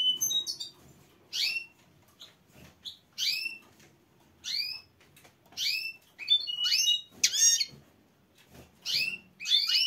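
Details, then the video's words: A female goldfinch gives a mating call: bursts of high, twittering, tinkling notes with short whistles, in phrases about a second long separated by brief pauses. "A female goldfinch call for mating"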